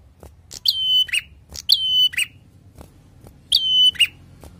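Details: Prinia singing actively in a drawn-out 'ngalun' style: three phrases, each a sharp high onset sliding into a level whistled note with ringing overtones, then a short lower note, about a second apart, with soft clicks and low background hum.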